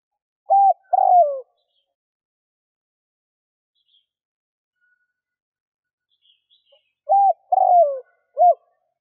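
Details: Lure call of a spotted dove from Vietnam, meant to draw in wild doves: a two-note coo, short then long and falling, followed after a long gap by a full three-note phrase ending in a short coo.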